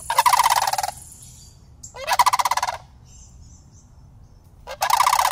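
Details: Two young sandhill cranes, city residents all year, walk up to greet a person, filmed on an iPhone. Three loud gargling rattles of rapid pulses are spaced about two seconds apart, with faint high notes between.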